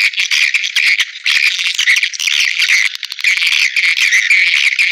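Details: Swiftlet calling used as playback to lure birds into bird houses: a constant chorus of rasping, chittering twitters with short dips between bursts and bright, shrill notes repeating through the chatter.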